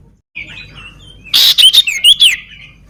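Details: Sooty-headed bulbul with a crippled leg, singing actively: faint thin whistles, then a burst of short, loud, whistled notes rising and falling in quick succession.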